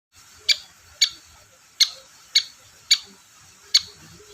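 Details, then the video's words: Long-tailed shrike, played as a lure to prompt shrikes that rarely sing: six short, sharp, harsh notes at uneven intervals over about four seconds, with a faint steady hiss behind. "BURUNG CENDET GACOR DORR PANCINGAN AMPUH CENDET SUSAH BUNYI"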